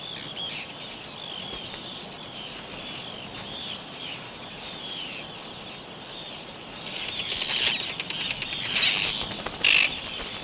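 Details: Wild Arctic terns courting on a beach on Northumberland's castle coast in the breeding season: repeated high, grating calls from many birds, growing louder and more crowded toward the end with a sharp close cry, over outdoor ambience.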